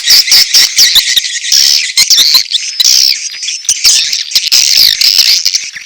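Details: A crowd of swiftlets giving mating calls, with chick calls mixed in: loud, high, buzzy twittering and clicking chirps that pour out continuously, with brief dips between bursts.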